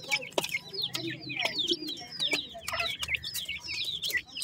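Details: A chorus of grey francolin (dakhni teetar) chicks: high, downslurred peeps repeated every fraction of a second, broken by sharp clicks and scraping noises.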